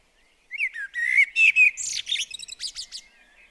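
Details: Garden blackbird at a bird table: after half a second of quiet, a rich warbled fluting phrase climbs into a rapid series of thin, high, scratchy chirps.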